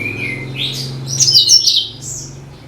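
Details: Cucak kinoi (bulbul) song used as a lure for all kinds of birds: a short run of bright whistled and chattering notes, rising and falling, with a low steady hum underneath.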